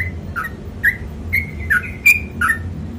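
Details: Brief passage of sooty-headed bulbul 'ropel panjang' song: a handful of whistled notes jumping between low and higher pitches, spaced about half a second apart, somewhat quieter, over low hum.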